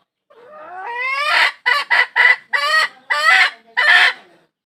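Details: Hen calling to find a rooster: a rising, drawn-out squawk followed by six loud, harsh, nasal cackling notes in a jerky rhythm, clear against silence.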